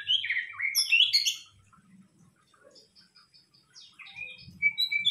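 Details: White-rumped shama lure song: a busy jumble of bright, warbled and chattering notes at the start, then softer twittering and a final high whistle, over faint low rumbling.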